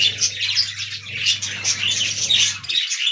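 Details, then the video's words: Budgerigars kept in a colony aviary, warbling continuously in scratchy, whistled chatter with bright squeaks, over a low hum that stops near the end. "Budgie Talking Compilation"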